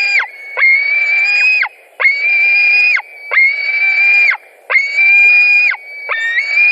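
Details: At a Latvian white-tailed eagle nest, July 2020, as fish is brought in: drawn-out, strained squealing notes held steady for about a second, each dropping abruptly at the end, in a repeated series.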